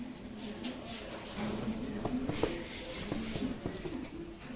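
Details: Siraji fancy pigeons from Lahore, kept domestic birds, giving low droning coos that swell and rise, with sharp taps and clicks scattered through the sound.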